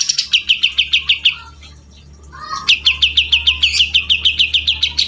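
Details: Chatty grey-cheeked bulbul: two bursts of quick, evenly repeated bright chirps, about five per second, separated by a brief pause with a lower slurred note.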